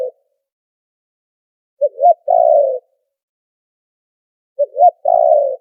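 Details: Spotted dove trapping lure call, background noise filtered out: the end of one coo, then two full phrases roughly three seconds apart, each a clipped note, an upward-curving note and a long, slightly descending burry coo.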